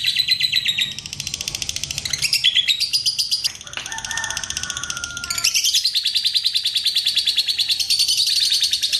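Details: Extended ngekek of a lovebird, played to set off other lovebirds: sustained rapid high-pitched rattling chatter, rising in stepped phrases, with a short break carrying a steady lower whistle before a long final trill.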